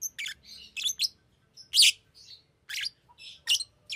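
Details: Fischer's lovebird chattering with shrill, grating chirps and squeaks, irregular and fairly continuous, with one louder rasping squeal in the middle.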